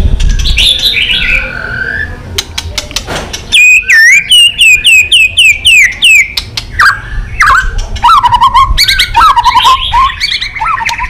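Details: White-rumped shama singing a provoked contest song with many voices: after a noisy start, a fast series of repeated down-sweeping whistles, then clicks and varied warbled phrases dropping lower.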